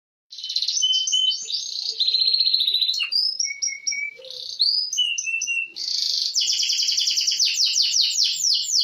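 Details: Canary in full, vigorous 'gacor' song: varied phrases of buzzy rolls and pure whistled notes, ending in a fast, loud, repeated trill.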